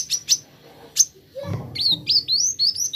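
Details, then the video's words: Plain flowerpecker (kolibri ninja) song used as therapy to prompt birds to sing: a few high, thin chirps, then a run of quick rising and falling whistled notes, with a faint low murmur beneath. "Terapi Kolibri Ninja Cepat Buka Suara"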